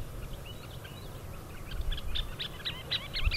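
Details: Scissor-tailed Flycatcher giving a run of short, sharp, high chattering notes that grow louder and quicker toward the end, with a low rumbling background noise throughout.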